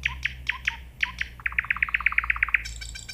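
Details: Nightingale singing: a few spaced, slurred notes, then a fast run of about a dozen sharp repeated notes, ending in a buzzy burst.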